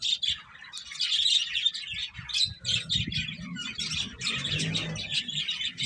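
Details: Many finches chatter while eating, a thick wash of quick, high chirps with a low rumbling hum building in the second half.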